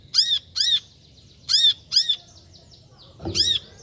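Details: Brown-throated sunbird giving loud, piercing, arched chip notes in paired bursts about a second apart, with faint thin twitters between them and a dull knock near the end.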